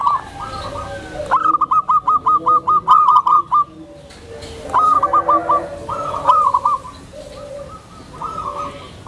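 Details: A gentle, tame zebra dove coos to provoke other zebra doves into calling, useful for conditioning new birds; one long rippling run of about a dozen beaded notes, then several shorter, softer phrases.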